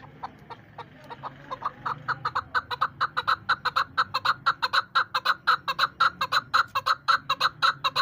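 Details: Female chukar partridge, a bird used by hunters as a decoy, calling with a long run of clucking chuk notes that start soft and sparse, then quicken and grow louder to about two per second.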